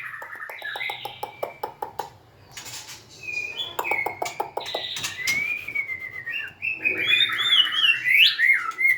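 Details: White-rumped shama song with a string of sharp ticking clicks repeated about three times a second, then smooth drawn-out whistles and a bright, twittering finish.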